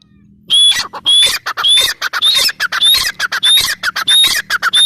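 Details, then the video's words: Loud female grey francolin calling in rapid, overlapping harsh phrases, each with a high whistled rising note, repeated about every half second. A faint low hum sits under the calls. "Teetar awaz teetar voice gray fryancoline teetar sound female teetar awaz"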